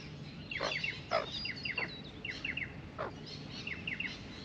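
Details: At a birdbath, a pair of Australian magpies warble quietly while drinking, trading clusters of bright quick chirps and a few lower downward-swept notes, with a low constant hum underneath.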